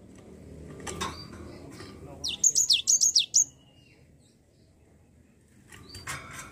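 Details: Java sparrow used as a singing lure for a lazy bird, giving a short run of about six high, quickly repeated down-slurred chirps amid faint clicks and low background noise.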